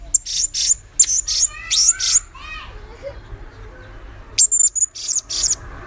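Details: Blue-crowned hanging parrot, lure recording: bursts of shrill, very high squeaky notes in quick groups, with softer lower falling whistles from another bird in between and a low hum throughout.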